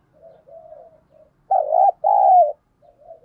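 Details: Spotted dove decoy provoking wild birds to fight. Quiet wavering coos lead into one loud double coo, a brief note followed by a longer drawn note, then soft cooing again.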